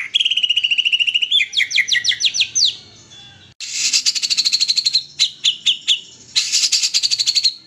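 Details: Morning song of a white-rumped shama with mimicked kapas tembak, cililin and canary phrases. A steady whistled trill runs into rapid sweeping notes, a brief pause, then dense high buzzy chatter in repeated bursts.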